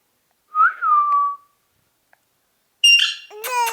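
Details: Ring-necked parakeet gives one clear, slightly rising whistle, then after a silence a harsh squawk followed by a short word-like harmonic phrase.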